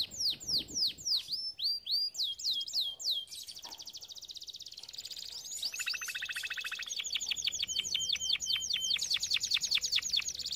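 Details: Canary singing as training song for canaries: repeated down-slurred notes, then a soft rattling trill, followed by dense rapid rolls and bright chirped phrases changing every second or two.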